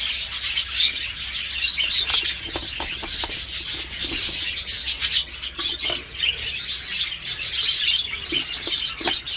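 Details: Dutch-type budgerigars kept for breeding, hens laying a new round as chicks fledge; constant high chattering mixed with many short clicks and taps, individual chirps rising from the chorus.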